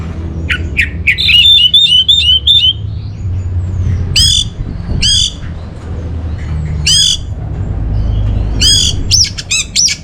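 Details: Orange-headed thrush song, used as a lure and master song for training caged birds: a lively run of short squeaky chirps and trills, then loud harsh, ringing notes repeated at roughly one-second intervals, with a low background hum.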